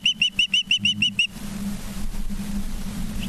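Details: Osprey at the nest, Charlo, Montana, evening of 19 September 2023: seven quick, piercing whistled chirps in just over a second, followed by low hum and a faint far chirp.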